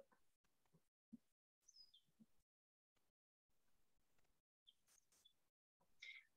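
Eastern Meadowlark song: a few clear, high, slurred whistles falling in pitch, played in short bursts separated by silent gaps, with faint low room noise.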